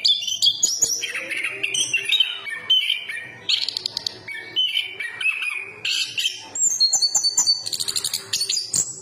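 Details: Chestnut-capped thrush (anis kembang) of Southeast Asian forests singing a rich, varied song of high whistled phrases and rapid chirps, rising and falling notes packed closely together, with brief pauses between bursts.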